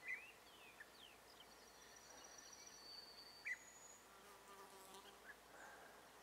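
European bee-eater giving two short, rolling, burry calls about three seconds apart, with faint thin whistles and a steady insect-like hiss behind.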